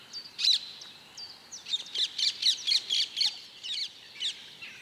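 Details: Mallard hen with her young brood: high thin peeps that speed into a rapid run of about four sharp chirps per second, then slow to a few scattered notes, with soft outdoor background.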